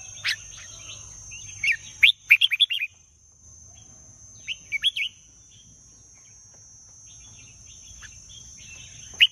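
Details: Red-whiskered bulbul; short scattered bursts of bright, warbled chirping notes in two clusters, over a steady high insect-like whine and low background hum.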